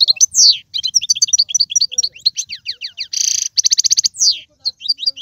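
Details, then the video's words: Captive Algerian European goldfinch singing in mandolin and sarfati styles: busy twittering with slurred whistles, a dense buzzy burst, then a quick even trill of about ten notes and a falling whistle. "مقنين طيواواطي قالوبي و سرفاتي, هذا الحسون ليس له مثيل"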